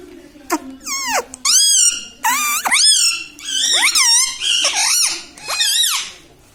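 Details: Pet parrot talking, said to say "mithu" and "mummy papa": a continuous run of loud, rich, harmonic syllables that swoop up and down in quick succession for about six seconds indoors.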